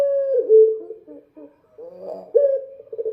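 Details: Dove heard singing at night, giving deep mellow coos that slide slightly downward, a quiet stuttering pause, then another strong sustained coo.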